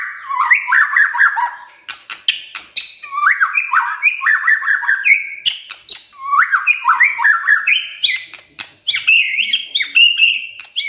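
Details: White-rumped shama in kretekan style, meant to rouse emotion: bursts of warbled whistles mixed with sharp clicks and chatter, phrases repeated in groups with short gaps, varied and energetic.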